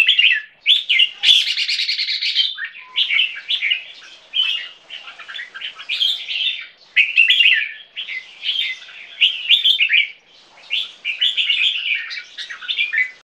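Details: Captive crossbreed bulbul, Asian black bulbul with red-whiskered bulbul, two years old and of Thai champion lineage, pouring out a long, nearly continuous chattering warble of dense, varied notes with a few short breaks.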